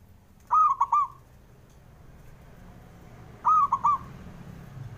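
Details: Zebra dove male calling, meant to spur silent birds to sing: a pair of bubbling, stuttered coos a few seconds apart, each ending in a short drawn-out note, against a quiet background.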